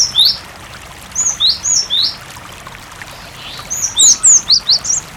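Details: Cinereous tit singing loudly, recorded with water sound to make other tits respond; clear high slurred whistles, several falling and rising, in two dense phrases separated by a short pause, with faint water behind.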